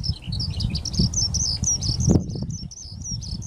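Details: Recorded 10 May 2024 at Ogura, a Eurasian skylark parent and chick; high twittering, rolling warble of short slurred whistles runs throughout, with a brief thump just past two seconds and low wind noise underneath.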